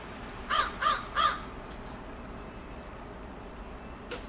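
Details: Crow perched on a post in a front yard in Edmonton, Alberta, Canada, on 15 August 2012, giving three harsh caws in quick succession, then silence with light background hiss.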